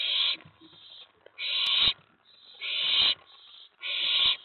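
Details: Owlet calling inside its nest box on a May 2017 night when an owl or owlet reaches the tray. Four long, loud, breathy screeches, each near a second long, come in quick succession with brief rustles between them.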